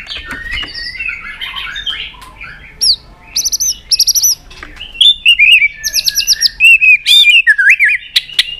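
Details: Excited caged white-rumped shama, urged to sing while snapping its tail, gives soft mixed chatter and then loud buzzy rattling trills. These are followed by fast, swooping whistled notes and sharp clicks.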